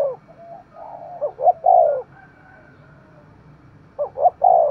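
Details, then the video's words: Sharp-voiced decoy spotted dove in 'thúc gù' calling: two bursts of quick rising notes ending in a drawn-out falling coo, over a low background rumble. "Tiếng chim cu mồi thúc gù// giọng bén bổi"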